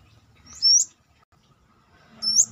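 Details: Uncaged brown-throated sunbird giving two high, thin whistled notes with a slight upward inflection, separated by a quiet gap of over a second.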